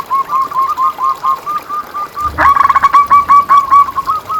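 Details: Local zebra dove song played to stimulate and train caged doves: an even series of soft rolling coos, joined midway by a louder, denser overlapping trill from another bird.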